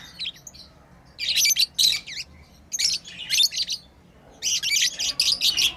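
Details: Pet lovebirds chirp while playing, sending out dense clusters of high, scratchy squeaks and twitters in three busy bursts separated by brief pauses.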